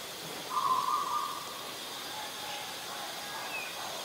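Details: A Black-collared Starling (Gracupica nigricollis) in Ubon Ratchathani, Thailand, on 10 November 2021 gives one steady, mid-pitched whistled note lasting about a second, then falls quiet against a soft background hiss.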